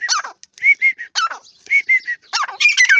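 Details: Teetar, the grey francolin, giving a jumble of harsh rasping notes mixed with clear ringing notes, delivered in quick irregular bursts.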